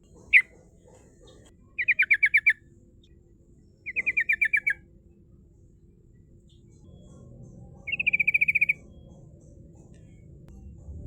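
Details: Yellow-vented bulbul lure recording used to call rivals, in rolling song style: short rapid bursts of clipped notes, each about half a second, given four times with pauses of one to three seconds between, over quiet low background noise.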